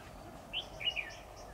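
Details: Decoy red-whiskered bulbul singing in competition during trapping, 10 October 2019: a brief pair of clear warbled phrases, the second a quick tumbling run of liquid notes, over faint background hum.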